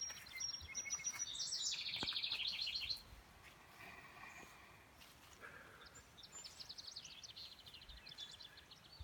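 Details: Vesper Sparrow song in a yard with nesting sparrows near a creek on a calm day: high quick trills and sweet notes, a bright rattling burst early and another trilled phrase later, over a soft rushing sound.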